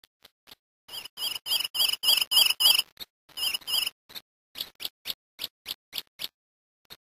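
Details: Grey-eyed greenlet, a Brazilian bird, singing a fast series of short, bright, high notes repeated about three times per second, with louder rapid bursts in the middle and softer, spaced notes toward the end; otherwise quiet.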